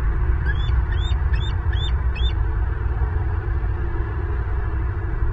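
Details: Bald eagles at a nest in Southwest Florida, caught by a live nest camera on 8 April 2023 around midday. A quick series of five high, thin, piping notes runs over about two seconds above a steady low rumbling hum.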